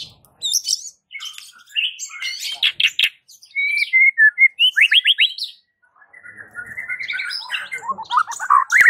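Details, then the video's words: White-rumped shama, its song said to get all shamas in the village replying nonstop; varied whistles and sharp chips, a fast repeated trill in the middle, then more tumbling phrases. "Suara uniknya jadikan MURAI BATU sekampung NYAUT GACOR dak MAU DIEM"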